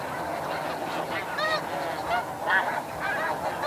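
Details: Snow geese in flight at Chincoteague, Virginia, USA, with flock calls in the background: nasal, yelping honks, several per second, over a continuous din of flock calls.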